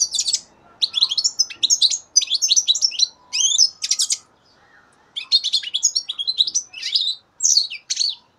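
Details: European goldfinch, a three-month-old youngster from 2015, singing rapid tinkling, buzzy twitters in clustered phrases, with a brief pause near four seconds before the chattering song resumes, loud and close against a quiet background.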